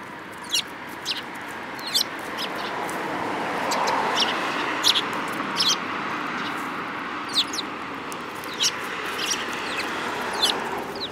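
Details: Several sparrows, March 2018, calling with short, clipped chirps at irregular intervals, occasionally two close together, above a continuous low traffic-like hum.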